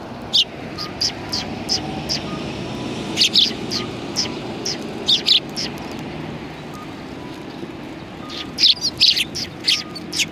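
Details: Sparrows perched on a bench at a Tenmangu shrine on January 21, 2020, giving short, sharp chirps in scattered bursts over a steady low rumble of traffic.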